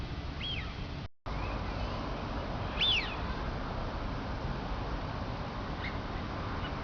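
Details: High, thin duck whistles sweeping downward, a faint one early and a brighter, louder one near three seconds. Soft traces follow later over a constant rushing background noise, with a brief dropout shortly after the first second.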